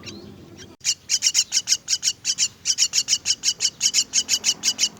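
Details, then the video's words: Begging myna chicks being fed: after a quiet opening second, a steady, unbroken run of loud, rasping, high-pitched calls follows at about three per second. "Feeding myna's chicks"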